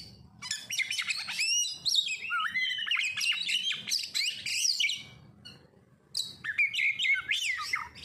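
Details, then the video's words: Oriental magpie-robin song used to coax other birds into singing: fast tumbling phrases of bright whistles mixed with rasping notes, about four notes a second, a brief gap, then another rich burst; low hum in background. "Pancingan Kacer langsung auto gacorr"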